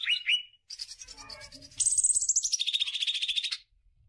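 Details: Greater green leafbird song used as a lure for other birds: short whistled upslurs, a scratchy interlude, then a long buzzy descending trill.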